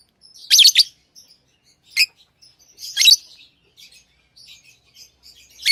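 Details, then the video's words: Tame pet lovebirds chirping: harsh, high-pitched bursts, one near the start, then single notes spaced about a second apart, with faint soft twittering between them. "Love birds Sounds | lovebirds chirping sounds"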